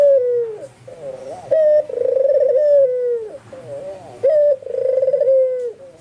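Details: White albino dove calling actively, its neighbours, spotted doves and zebra doves, answering. Warbled low notes alternate with two strong coos. Each coo is a sharp opening note followed by a long quavering purr that droops at the end.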